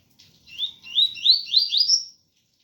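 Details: A single clear bout of pure tui-tui song from a double-collared seedeater: five rapid upswept whistles in quick succession, each stepping slightly higher than the last, over faint rain.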